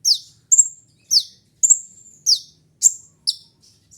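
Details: Kolibri ninja sunbird delivering loud, high chirps that drop sharply in pitch, alternating with level whistled notes, about two each second against a quiet background.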